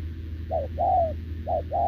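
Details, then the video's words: Spotted dove, wild-caught and caged, cooing beside a decoy bird. Two crisp coo pairs, each a short note followed by a longer, slightly falling tone, about one second apart, with low hum beneath. "Bổi đồng chân lùn | Bo mình chắc đẹp | gù liền với mồi Đồng TT"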